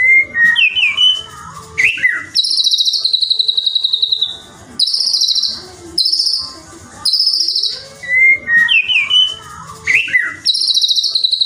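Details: White-rumped shama song used as a lure to provoke other shamas into singing: loud, varied phrases mixing clear whistles with rapid buzzy, trilled high series, repeated in bursts with short gaps.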